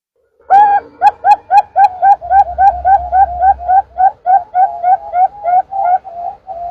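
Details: Perkutut, the zebra dove, played as a trapping lure: some twenty clipped, whistle-like cooing notes repeated rapidly and evenly for over six seconds, the first few loudest, with a faint low hum partway through.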